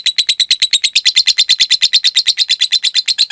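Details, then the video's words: Lovebird ngekek panjang used as masteran for cage birds: loud, quick-fire chattering notes in a steady high trill, each pulse sharp and buzzy, continuing without a break. "Masteran Suara Burung Lovebrid Ngetik Ngekek Panjang"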